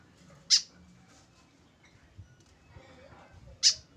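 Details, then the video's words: Tame white-breasted woodswallow calling alone without a companion: two sharp, short, high-pitched notes about three seconds apart, with quiet room background. "KESEDIHAN BURUNG KEKEP BABI TANPA TEMAN"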